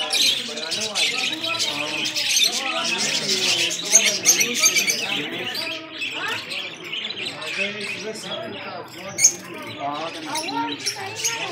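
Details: Two Saira goldfinches, red-faced birds kept in Parachinar, give continuous bright twittering with rapid high chirps and trills, overlapping and dense, joined by lower harsh notes and faint voices in the background.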